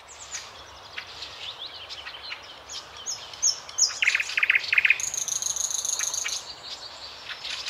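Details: Thrush nightingale (Luscinia luscinia) singing in Belarusian Poozerye, 2020: loud, varied phrases with rapid clicking notes, then a fast metallic rattle and a high sustained trill, over faint background birdsong.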